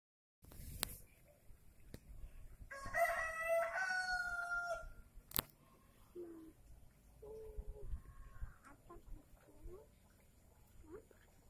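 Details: Kampung (Indonesian village) rooster, described as a rare one, giving a single drawn-out harmonic crow of about two and a half seconds, rising then holding steady, followed by short soft clucks and faint background noise.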